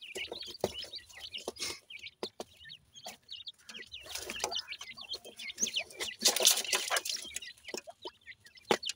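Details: Irani teetar (francolin) chicks eating and fighting their mother: many thin, high cheeping calls overlapping in quick succession, with scattered clicks and rustling throughout.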